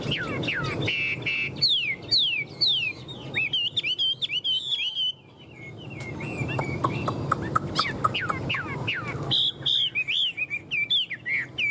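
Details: Tame Chinese hwamei in a cage giving bright descending whistled notes in a rapid series, a pause filled with scattered clicks and rustling, then more sweeping whistles and a looping phrase at the end.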